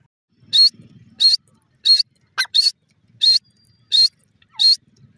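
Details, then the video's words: Irani francolin, called gora or white teetar, giving a steady series of sharp, high, piercing notes at an even pace of roughly 90 a minute, with a faint low rattle between some calls. "teetar ki awaz irani"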